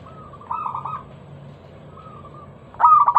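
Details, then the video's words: Local zebra dove lure song meant to get other doves singing: soft, drawn-out cooing notes at first, then a sudden loud burst of rapid staccato coos near the end, over a faint low hum. "Masteran pancingan burung perkutut lokal suara Lantang kristal"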